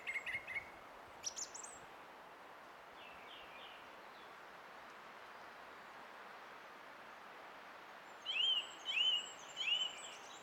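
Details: Song thrush recorded 20 April 2016: a few scattered notes at the start, a long quiet stretch, then three identical rising-and-falling whistled phrases repeated about every half second.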